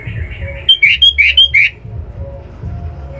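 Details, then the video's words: Sooty-headed bulbul song for training captive songbirds: a short lively burst of about six sharp, slurred chirps over a steady low hum, with fainter notes before and after. "kutilang full power masteran"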